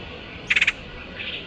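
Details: Woodpecker lure call: a single fast rattle of four sharp notes, followed by a faint softer echo-like burst, against a hissing background.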